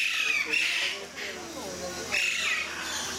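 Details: At Mysore Zoo, Alexandrine parakeets give harsh, grating squawks in two loud bursts, with rasping chatter between them and faint voices of people in the background.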